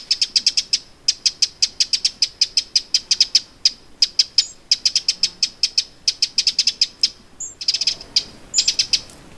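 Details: Alarm calls of a Eurasian wren at Lake Vänern, Sweden, late July 2017: hard, clicking tics delivered in fast repeated series, sometimes accelerating into short rattles, with a brief gap near the end before more ticks.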